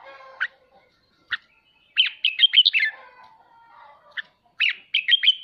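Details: Ché song of a red-whiskered bulbul, used so kept birds practise singing: isolated sharp chips, then a jaunty run of looping whistles, a soft lower warble, and a closing burst of quick bright notes.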